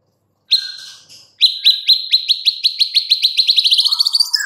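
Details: Rapid series of sharp, repeated whistled notes from a white-rumped shama, speeding up and climbing slightly in pitch over about three seconds, then closing with a lower, buzzier phrase.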